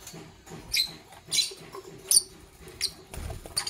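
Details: Fischer's lovebirds, parblue violet and pastel green opaline pets, chirp in the morning: quick, thin, high chirps repeated roughly every half second to second, with light clicks between.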